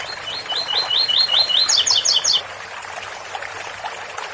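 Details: Ouro fino song from a double-collared seedeater: a run of about eight rising whistled slurs, then four rapid higher double notes, ending abruptly and leaving only the soft trickle of a water fountain.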